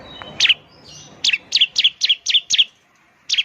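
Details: Ciblek chirping as a lure, one loud high note followed by a rapid string of six bright, downward-sweeping chirps and a final note.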